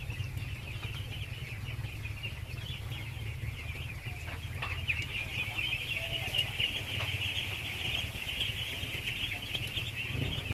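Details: Masses of baby ducks at feeding, endless overlapping high-pitched peeping forming a steady band, with a strong low droning hum beneath and a few faint clicks.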